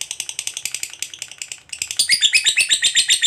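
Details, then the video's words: Lovebird's long chattering ngekek, meant as master audio for other birds: quick harsh pulses that falter briefly, then return louder with ringing whistled tones mixed into the trill. "Lovebird ngekek panjang real 2 menit"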